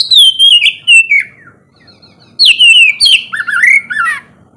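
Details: Oriental magpie-robin morning song meant to spur silent birds to sing: two bursts of clear whistles descending in steps, the second ending in lower slurred warbles, separated by a short silence.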